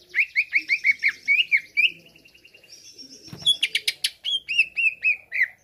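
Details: Greater green leafbird song used as a baiting track to provoke other birds into excitement: a quick run of slurred upward whistles about two per second, then a burst of harsh chattering and buzzy sweeps, closing with more repeated whistles.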